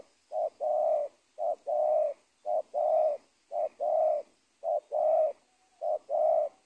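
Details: Spotted dove at a teak plantation edge by an old cornfield in Indonesia while being trapped. Steady, rhythmic calling: a short coo then a longer coo, repeated about once per second.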